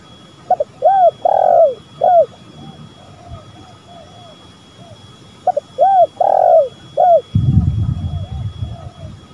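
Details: Spotted doves, male and female, call for a lure recording, giving two full phrases about five seconds apart, each of clipped notes, arched coos and one long falling coo, with faint softer coos between and rumble at the end.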